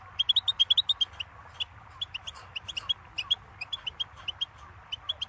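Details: Goldfinch singing a lively stream of high chirped notes, a fast opening run followed by evenly spaced twitters and a few slurred notes.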